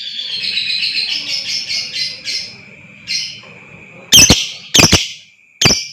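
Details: Lovebird sound used to provoke a long trill (ngekek panjang): a quick series of high, buzzy chirps at the start, slowing and fading, then three loud, sharp snapping bursts, with a steady high tone underneath throughout.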